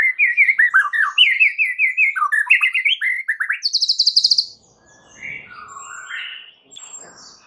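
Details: White-rumped shama lure song to trigger replies from other shamas: a rapid run of varied whistled and trilled notes, a high buzzy burst, then quieter warbles.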